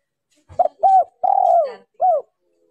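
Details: Female spotted dove calling to stimulate males, a lure recording with background noise cut out: a soft low note, two short cooing notes, a long drawn-out coo that sags downward, then one short closing coo.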